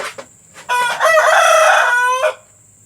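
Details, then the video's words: Rooster crowing, recorded as part of a lure for hens about to lay: a loud, strained crow about one and a half seconds long, opening with two short clucks. "Suara pemikat ayam betina agar mau bertelur"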